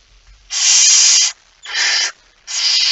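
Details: Barn owl male delivering a mouse shortly before midnight on 17 September 2019: three loud, breathy hissing screeches in quick succession, the first longest, each under a second.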